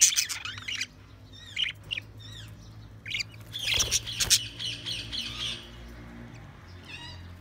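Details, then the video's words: Budgerigars chirping: bursts of quick high warbled chirps and squawks, some close and loud, others softer, with a steady low hum underneath. "Budgies Sounds| Budgies Chirping sound"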